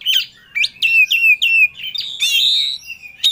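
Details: Singing Oriental magpie-robin seeking a rival: a brisk run of repeated descending whistled notes followed by a buzzy, ringing phrase and a final sharp note.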